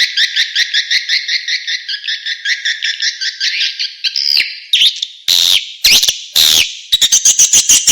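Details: Edible-nest swiftlet lure call played to attract swiftlets: a dense band of rapid chirping twitters pulsing about twice a second, then broken, harsher bursts and quick clicks.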